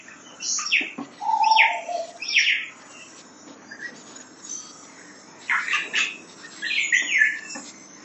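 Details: Young white-bellied caique kept in Kuwait, heard as bursts of raspy, falling squeals in clusters, a brief nasal mid-pitched note, then a quieter spell before more grouped screechy chirps near the end.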